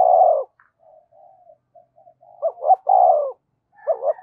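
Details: Spotted dove decoy calling to excite wild doves: a long falling coo, quiet broken murmurs, then a phrase of two short hoots and a sliding coo, with another starting at the end.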